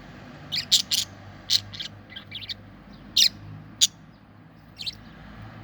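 Budgerigar giving short, bright chirps in scattered, irregular bursts.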